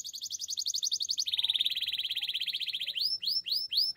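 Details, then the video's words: Belgian canary training song with a fast, even rolling trill that drops in pitch partway through, followed by a few loud upswept notes. "Belgian canary's most powerful song for training"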